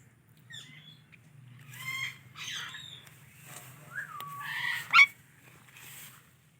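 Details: Indian ringneck parrot giving a few scattered chirps and short squawks, some rising and falling, separated by quiet gaps over a faint low steady hum.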